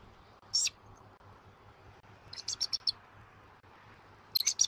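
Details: Adult male bald eagle at a Southwest Florida nest, calling after feeding the chick, before the female arrives for a nest changeover; 8:24 am, 1 January 2024, live nest camera. Three bursts of high, thin chittering notes, a single note then two quick clusters.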